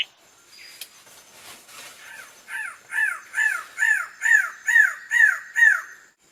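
A greater lophorina gives a series of about eight harsh, arched, crow-like notes, roughly two per second, after faint rustling and quieter calls at the start.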